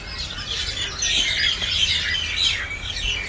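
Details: Noisy common mynas calling together, a dense jumble of harsh chirps and squawks packed high in pitch with no clear pauses, several birds overlapping continuously.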